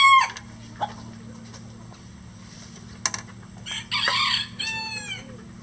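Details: Roosters at a farm with at least 20 standard-size and bantam birds, crowing throughout the day. The tail of one crow opens the recording, then after a quiet stretch a harsh, fading crow rises, with scattered clicks and low hum.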